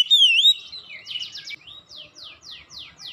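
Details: Oriental magpie-robin (kacer), a caged bird prompted to sing: a loud whistled upward-curving note, then a rapid series of buzzy descending sweeps repeated about every third of a second.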